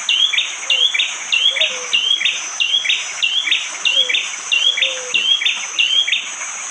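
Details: Bar-winged prinia in morning forest near Wonocoyo Village, East Java, Indonesia, with rain about, phone-recorded: a hard, sharp two-part note repeated steadily about every 0.6 seconds, with a continuous shrill insect hum behind.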